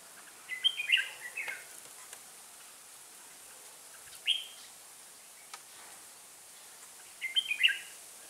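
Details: Red-whiskered bulbul kept as a trapping decoy sings three separated phrases of bubbly, whistled notes, a longer one at the start, a short note near the middle and a fresh burst at the end, with faint background hiss.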